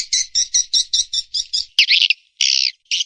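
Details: Swiftlet call used in Indonesia to attract birds to roost: about nine clear, evenly spaced high chirps, then longer buzzy twittering bursts.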